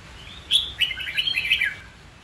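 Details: A captive red-whiskered bulbul with white cheeks, used in training to sing and to stir a fighting song, delivers one quick phrase. It opens with a sharp high note and runs into a warbling, chattering series of varied whistled notes.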